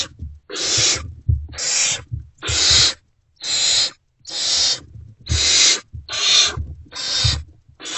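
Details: Great horned owl chicks in a nest box, still unfed, reacting to the return of an adult early in the morning; rapid rasping hisses about once a second, nine in a row, mixed with low scraping and shuffling.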